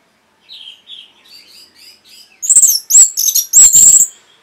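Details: Orange-headed thrush song from a masteran training recording for caged birds: soft short whistled phrases, then loud, rapid, harsh high chattering bursts that sweep up and down.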